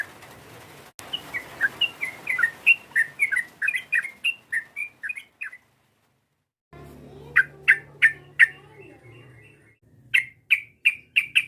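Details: Yellow-vented bulbul calling to rile a rival bird. A long run of lively chirping whistles, a silent gap, then sharp isolated notes repeating at intervals, with a low hum in one stretch.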